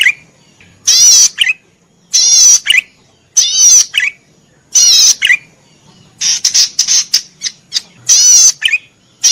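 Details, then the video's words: Cici padi merah cisticola in full song for caged-bird training: repeated strident, buzzy high phrases roughly every second, each ending in a short descending lower chirp, with a stretch of rapid choppy notes near the end. "suara burung Cici padi merah gacor cocok untuk masteran"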